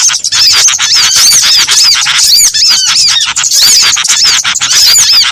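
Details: Combined small-bird lure calls for catching birds: clear, looping whistles stand out above a dense, shrill background of chirps, rising and falling in quick succession.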